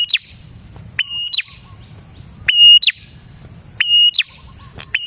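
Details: Prinia lure song with four phrases of a loud flat whistle and a rapid downward flick, about one and a half seconds apart, over a quiet low background hum.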